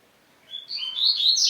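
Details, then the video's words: Rising burst of sharp, high twittering from a double-collared seedeater, notes stepping upward and growing louder, a song meant to provoke other males. "O melhor cante de coleiro - Levanta qualquer coleiro"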